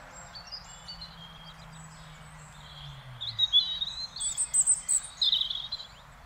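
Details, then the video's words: European robin singing in Beverwijk, the Netherlands: high, thin twittering phrases of trills and sharp notes rising at the end, after a low engine-like hum fades away early on. "Singing Robin"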